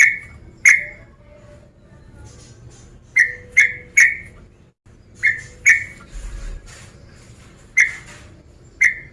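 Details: Sooty-headed bulbul, a male calling a rival: crisp ringing chirps, some single, some in runs of three, spread evenly through a quiet background with a faint low rumble.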